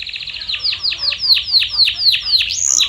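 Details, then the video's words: Canary song played as a lure to get silent canaries singing: a run of quick descending whistled sweeps, about five per second, ending on a brief buzzy rising note. "Is Your Canary Silent⁉️🤫 Try This MAGICAL LURE for 5 Minutes!"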